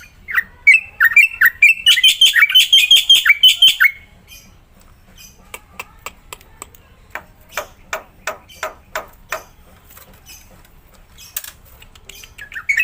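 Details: Black-winged myna, kept caged and sung to prompt other mynas, opens with a burst of rapid harsh chirps for about four seconds, followed by a slower train of sharp clicking notes and a final rising call.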